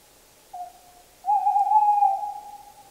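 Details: A short soft hoot, a pause, then a longer, louder, sustained hoot with a slight quaver, both at the same hollow pitch, from a Tawny owl, echoing away afterward.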